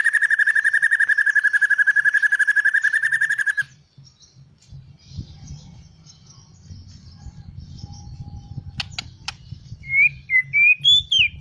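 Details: White-rumped shama song opens with a long even pulsed trill on one pitch for over three seconds, then a quiet pause with soft background rumble, ending in clear whistled notes that rise and fall.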